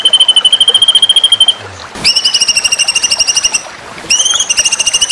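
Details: White-rumped shama (murai batu) masteran recording for songbird contests: a long, even, rapid trill around one pitch, a pause, then two more buzzy rattling trills with a sharp rising start, clean background.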